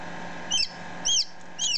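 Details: Ten-minute-old newly hatched chicken chick close up: three high peeps about half a second apart, each sliding sharply, against a steady low hum.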